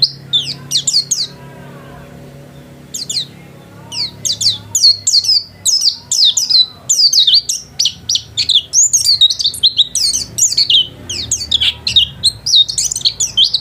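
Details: House-kept white-eye singing hard: a burst of high chirps, a short quiet pause, then long, dense runs of thin, down-slurred twitters that pour out almost without stopping.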